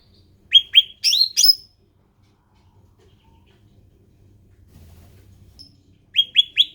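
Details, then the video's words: Ruby-throated bulbul, an endemic species, singing: a brief cluster of high, sharp downslurred chirps, a long quiet gap with faint low noise, then three more similar falling notes. "SUARA ASLI CUCAK RANTING"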